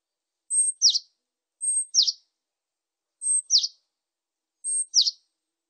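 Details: Japanese tit repeating a two-note phrase, a high steady whistle then a falling note, four times at intervals of about one and a half seconds, with clean silence between phrases.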